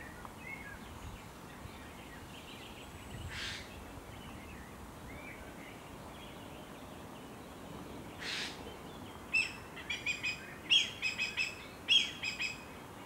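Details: Adult black kite defending its nest from a jay in a nature reserve hosting about 11 pairs: two harsh rasping screeches early, then thin, quavering high notes in quick bursts over steady background hiss.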